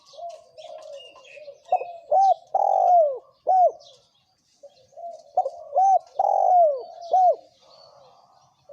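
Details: Spotted dove pair, male and female, giving thổ kim coos to lure wild doves: soft murmuring coos lead into two loud phrases of clipped arched notes and a drawn-out descending coo, with faint twittering above.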